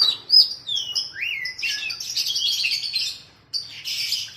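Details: Oriental magpie-robin song used to train a kept bird, alongside sooty-headed bulbul: sharp high whistles, a falling-rising slur, then a sustained dense stretch of chattering notes.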